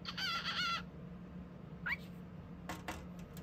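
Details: Male pet cockatiel chatter: a harsh, buzzy harmonic call of under a second, then a single quick rising chirp, followed by a few dry clicking taps against a steady low hum.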